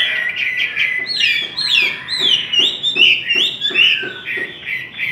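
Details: Chinese hwamei in a singing contest gives loud, rich phrases of slurred whistles and sweeping notes, rising and falling rapidly, with faint clicks underneath.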